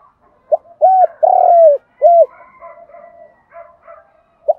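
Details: A decoy spotted dove calls in the morning to attract wild doves: one phrase of low, mellow coos, short, short, long drawn coo, short. Soft chirps of other birds follow.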